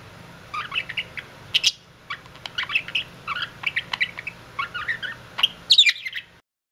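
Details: Budgerigar kissing: a continuous run of quick, chattering chirps and clicks, fairly even in loudness, over a low background hum that stops near the end.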